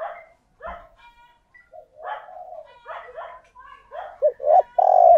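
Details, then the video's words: Spotted dove used as a decoy, cooing to draw in wild doves; soft murmured coos and short rolling notes lead up to a few louder hollow coos, ending in a long, strong sustained coo. "Chim Cu Mồi Thúc Gù Gáy Gọi/ Tiếng Chim Cu Gáy Kích Bổi"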